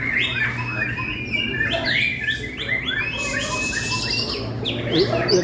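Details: White-rumped shama in a cage at a song competition, having just finished moulting and holding back its repertoire: a busy mix of whistled phrases and chatter over steady low background hum.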